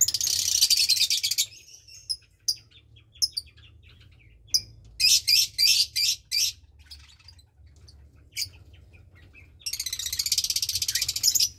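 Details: Nestling lovebird, roughly 20 days old, from a Parblue Turquoise and Euwing Blue Opaline pair, two chicks sharing the nest; harsh high buzzy rattles at start and end, with clipped squeaky notes in between over a low hum.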